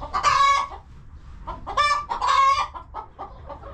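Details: Chickens in their coop on a homestead farm utter loud, drawn-out nasal calls, three long rasping notes separated by brief pauses, mixed with softer short clucks and a steady low hum beneath.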